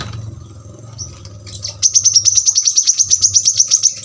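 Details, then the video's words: Brown-throated sunbird in a rapid, sharp burst of high thin notes, the trill beginning near two seconds and racing steadily to the end; faint low hum underneath. "kolibri kelapa | manggar | wiceh | tembakan rapat super tajam"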